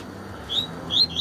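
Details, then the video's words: A caged Double-collared Seedeater, taken out on a morning outing on a somewhat windy day, gives a brief burst of high, thin whistled notes in two quick phrases about half a second apart, over a faint low hum. "FAÇA SEU COLEIRO CANTAR MUITO"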